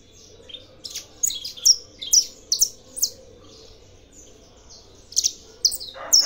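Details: Aviary-bred saffron finch sings clipped, high chirps in an uneven run, pauses, then resumes with a few louder notes before a brief noise at the close.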